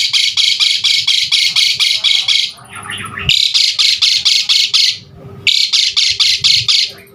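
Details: Asian pied starling recorded to coax caged starlings into fuller singing; bursts of harsh, grating notes repeated about four times a second, broken by short pauses with softer mixed chatter.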